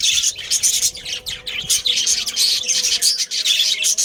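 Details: Budgerigars in a breeding colony, a family group of pet Australian parrots, giving dense, overlapping high chirps and twitters with short squawky notes, almost continuous with brief dips.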